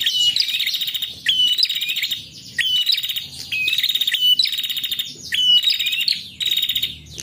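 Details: A female prinia, whose call serves to attract males, delivers buzzy trilled phrases about a second long, separated by short gaps, in a steady repeating series.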